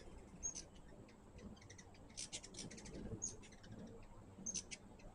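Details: Hummingbirds visiting a feeder give quick clusters of very high, dry chipping notes, several bursts close together around the middle and again near the end, over a faint constant high hum and low background rumble.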